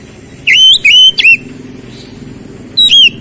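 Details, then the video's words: Oriental magpie-robin: loud clear whistled notes, three in quick succession each dipping then rising, a pause, then one more whistle, over a low background hum. "KICAUAN KEMBALIKAN KACER MACET BUNYI CEPAT GACOR"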